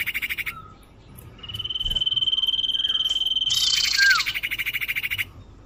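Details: Common iora lure call for attracting birds: pulsing buzzy rattle, then one long steady high whistle held about two seconds, a harsh buzz, and a short falling whistle.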